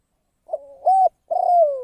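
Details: Spotted dove serving as a trapping decoy: a short burred lead-in, a strong steady coo, then a long throaty note that wavers and falls away at the end, heard alone in silence.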